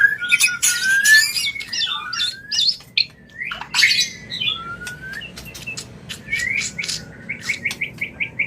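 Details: White-rumped shama mating call, used to bring a bird into breeding condition: mixed whistled slurs and harsh rasps early, then a series of short rising whistled notes repeated at a steady pace near the end.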